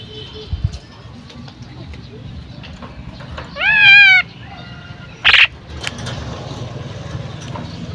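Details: Female common myna calling: one loud, rich, harmonic note lasting about half a second with a wavering, slightly falling contour, followed a second later by a short harsh rasping burst, with quiet background noise.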